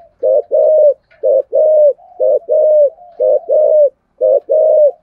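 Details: Spotted dove cooing in the style known locally as thổ sấm voice, a full song with two ending notes; deep paired coos, a short note then a longer level one, repeated about once a second, faint soft notes between phrases.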